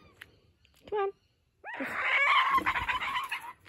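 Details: A young laughing kookaburra (Dacelo novaeguineae) at a wildlife sanctuary, playing with a stolen toy and refusing to give it up, gives a short harsh note, then a loud, chattering run of rough, rising and falling cackles, with human voices close by.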